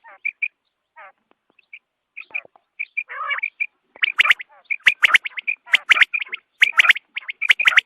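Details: Dawn quail calls used as a hunting lure: sparse sharp notes at first, then a dense run of bright repeated chips with crisp clicks, plus one brief harsh rasping burst.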